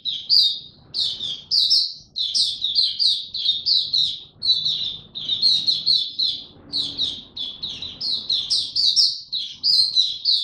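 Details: Caged Oriental white-eye in ramped-up form, singing in the style called buka tiong aw: a dense, continuous stream of high, rapid chirps and twittering trills, phrases run together with brief pauses, bright and scratchy, no other clear sounds.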